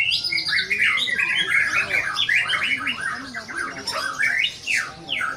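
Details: White-rumped shama in energetic performance, fast trilled and rattling phrases of rapid repeated notes alternating with steep whistled slurs, some lower warbling from other birds in the background.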